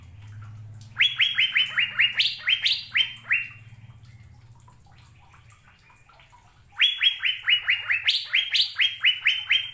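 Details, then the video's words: An Asian fairy-bluebird sings two quick runs of about ten bright, down-slurred whistles, each run lasting about two seconds, with a soft low hum underneath. "BURUNG CUCAK BIRU GACOR"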